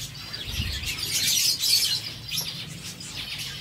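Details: Zebra finches feeding on seeds: a crowded chatter of high, nasal tin-trumpet beeps from several birds, loudest in the middle, over a soft low hum.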